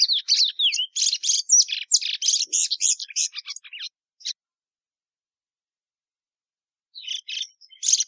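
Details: Plumbeous seedeater bursting into about four seconds of dense high chirping and slurred whistles, then falling silent before a few notes return near the end.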